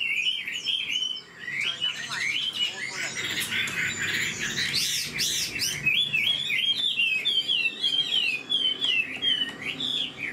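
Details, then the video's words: Old Chinese hwamei taken from the wild sings rising whistles and a harsh burst midway, then a quick series of bouncing, repeated whistled notes. "Họa mi già rừng chất giọng cực hay. tốc độ mỏ nhanh"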